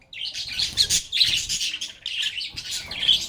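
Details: Lovebirds chatter in quick, harsh, overlapping twitters, three loud bursts separated by brief dips, the notes buzzy and grating rather than whistled.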